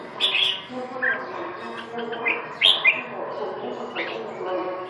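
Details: Song of a red-whiskered bulbul: sharp, chirpy whistled notes in separate bursts about once per second, a few sliding upward, over a persistent low-pitched background hum.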